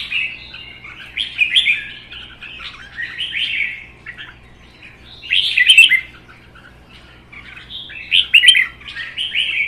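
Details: Red-whiskered bulbuls, a captive-bred bird and a wild-caught one-season adult, singing against each other from cages. Phrases of mellow, slurred warbling come in three or four loud bursts, separated by quieter gaps.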